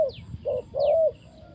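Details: Decoy spotted dove brought to the ground in a trapping setup, uttering a short coo followed by a longer drawn-out, slightly falling coo, while small birds give faint descending high chirps in the background.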